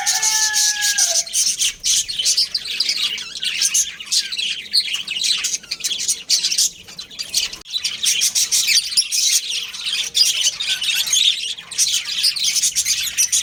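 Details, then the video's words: Budgerigar breeding pair kept at home, giving a long continuous chatter of high twittering chirps and harsh squawks, with a few lower whistled notes at the start. "Cute Budgies Chirping Sounds"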